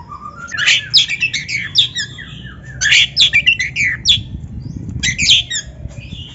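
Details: Oriental magpie-robin (kacer) pouring out dense, rapid song used to train other birds: three energetic bursts of buzzy chips mixed with twisting whistles, each lasting about a second, with brief gaps between them.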